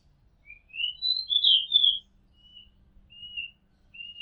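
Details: Singing Oriental magpie-robin heard from a house rooftop, opening with a rising sequence of sweet whistles into a loud warbled peak, then dropping to softer, evenly spaced single whistles.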